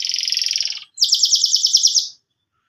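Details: Canary in breeding condition, eager to mate, delivering two rapid rolling trills, the first lower and steady, the second higher and pulsing, separated by a brief pause.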